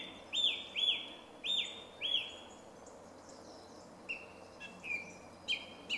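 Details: In a Zagreb wood by Jarun, Croatia, a song thrush sings on 2 March 2016: one bright, slurred whistle repeated four times in steady rhythm, then a lower phrase repeated several times, against faint steady hiss.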